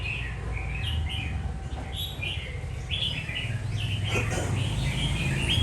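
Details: Red-whiskered bulbul delivering a string of short, lilting warbled notes over a strong, steady low rumble.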